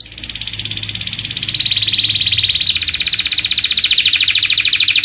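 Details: Canary song from a master training recording: an unbroken, fast rolling trill that slowly steps lower in pitch throughout.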